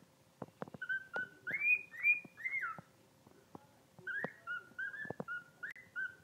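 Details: Newly rescued pet bird, recorded 5/27/2019, singing a guinea pig-like song: arched whistled notes rising and falling in short bursts, separated by sharp clicks and taps, with brief quiet gaps.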